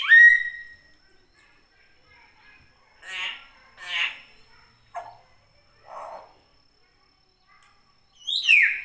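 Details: Natural calling of a common hill myna: a loud rising whistle, then scattered gurgling and throaty notes with pauses, closing with a bright, steeply descending whistled call.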